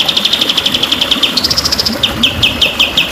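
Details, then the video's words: White-rumped shama song used to train captive birds to sing with variety: a rapid, even rattle of sharp chirps at about seven per second, then a slightly higher run, then spaced, slurred downward notes. "Kunci Burung Murai Juara🔥//Burung Jamin Gacor dan Stabil."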